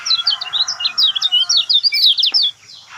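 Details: Lemon-bellied white-eye song meant to coax a mute bird into singing: a fast run of thin, high chirps and slurred whistles, then an abrupt stop with near silence for the last half second.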